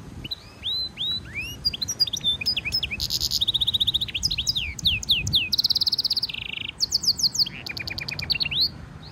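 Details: Hybrid European goldfinch mule, song for training: a long, varied high-pitched medley mixing downslurred whistles, dry buzzy rattles, rapid ticking trills and sweeping notes, delivered almost without pause.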